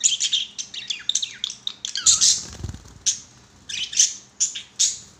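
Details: Pet budgerigars, including a yellow one, playing on a swing: a fast, chattering warble of sharp high chirps and short squeaky notes in bursts, with a brief soft low thump near the middle and quieter gaps between phrases.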